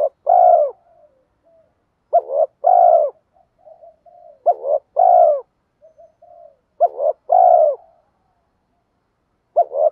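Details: Spotted dove cooing to lure wild doves. A steady series of low two-part coos, a brief fluttering note and a sustained hoot, about every two and a half seconds, with soft murmured coos filling the gaps.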